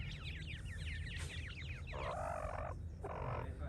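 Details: Young francolins producing a rush of high, curling peeps for the first half, then two longer buzzy, harmonic lower sounds break in while a low hum continues throughout.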